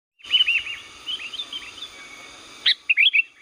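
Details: Sooty-headed bulbul from Liwa, a very active singer used as a lure call: a burst of short bright chirps and warbled notes, then a quieter stretch, then a fresh run of loud chirps near the end.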